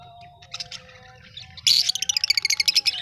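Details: Australian pet budgies: soft warbling notes give way to a loud fast series of sharp chirps repeated about ten times a second.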